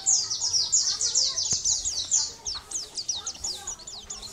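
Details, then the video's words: Energetic Sunda white-eye song for training other birds: a dense stream of thin high chirps and downslurs at a rapid pace, with a faint background hiss and one sharp click. "Masteran pleci gacor"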